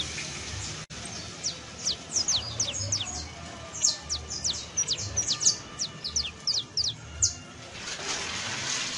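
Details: Rapid, thin high notes from a saffron finch, a click near the start and a hiss of noise toward the end, the descending chips clustering loudest in the middle seconds.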